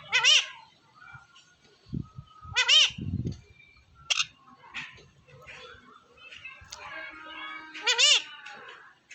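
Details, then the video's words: Rescue pet parrot in India giving repeated harmonic squawking calls with arched, wavering tones, several spaced a few seconds apart, amid quieter clicks and low human sounds. "talking parrot comes near mango tree"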